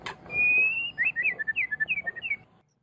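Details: White-rumped shama, on a tutor recording for training other songbirds: one long steady whistle, then about a dozen short looping notes alternating high and low in quick succession.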